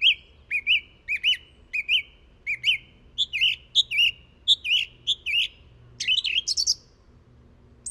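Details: Song thrush repeating one fluty, rising-and-falling phrase about a dozen times at a steady pace, later switching to a slightly higher variant, then ending with a brief scratchy flourish.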